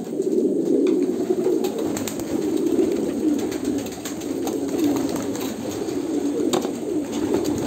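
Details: Pigeons in Kolkata, India, produce a low, rolling coo chorus that swells and fades slightly, with scattered clicks and taps.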